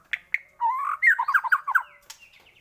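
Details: A short White-rumped shama phrase used to provoke other shamas into singing: two sharp chips, then a rising warbled run of quick bubbling notes, ending in a thin high whistle.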